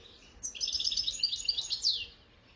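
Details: European goldfinch, khalwi type, recorded in 2022: one short, bright phrase of fast tinkling twitters that ends in a downward slurred note.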